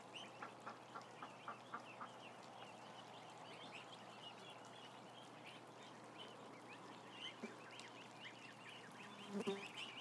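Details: Around a thousand ducklings seen on a live camera, a regular run of louder short calls at the start, then a continuous chatter of high arched peeps, with a low hum throughout.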